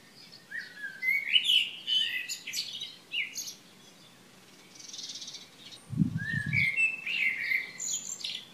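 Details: Morning birdsong recorded 3 June 2015 at Šilo on Krk, Croatia: bright whistled and chirping phrases from more than one bird, a short pause near the middle, and a brief low thump at about six seconds.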